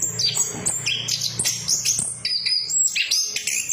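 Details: Short burst of orange-headed thrush lure song, used to trigger singing in silent birds: clear high whistles and quick slurred chirps in close succession over a faint low hum.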